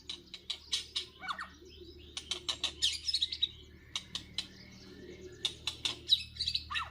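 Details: White-rumped shamas fighting at a trap in Northwest Vietnam. The clip is full of short, harsh, clicking and chacking notes in irregular bursts, with brief whistled fragments mixed in, against a quiet low hum.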